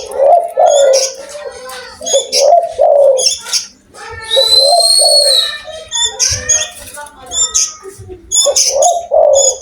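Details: Indonesian spotted dove with a big, active voice: repeated low coo phrases every couple of seconds, overlaid by busy high twittering of other birds and a long steady whistled note midway.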